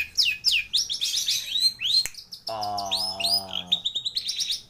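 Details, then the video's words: Long-tailed shrike in complete fill-in song: quick high downslurred chirps, then a buzzy nasal harmonic note held over a second, followed by a rapid trill of ticking notes. "Burung Cendet Atau Pentet Gacor Isian Melimpah Komplit FULL Master"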